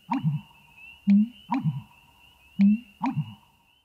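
American bittern giving deep, hollow, gulping notes, about five low booming pulses in four seconds, over a faint steady high hum.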